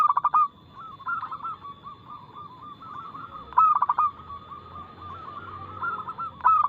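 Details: Local zebra dove, or perkutut, giving a loud, fast, crystal-clear song used to lure other birds into singing. Short emphatic coo bursts at the start, middle and end frame long stretches of soft rolling coos.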